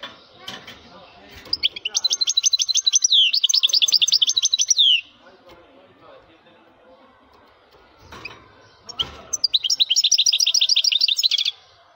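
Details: Strong-voiced male European goldfinch delivering two long song bursts of fast, high, tinkling trills and buzzy notes, each lasting about three seconds, separated by a quiet pause with faint background noise.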